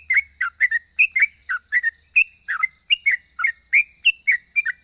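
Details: Sooty-headed bulbul, a lively singer said to provoke other bulbuls into answering, gives a fast run of short whistled notes, each dipping or rising, about three per second, with a steady high hiss behind.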